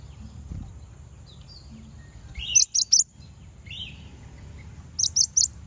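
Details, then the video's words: Konin song for provoking other konin, with two quick bursts of three very high chirps, and a softer lower chirp from another bird in between, over a low background hum. "Konin bunyi manggil lawan"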